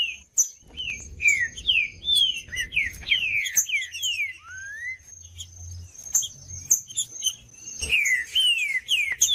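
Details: Green-winged saltator (trinca-ferro) singing to warm up a reluctant bird: a run of clear whistled phrases that slide downward, some rising, over a constant thin high whine, scattered sharp chip notes and a soft low rumble.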